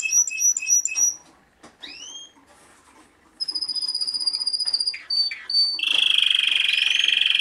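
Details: Vice German champion male Timbrado canary, shown at the 2013 German Championship in a four-bird collection: rapid metallic chip notes, two rising slurred whistles, long pure steady tones, then a dense ringing rolling trill to the end.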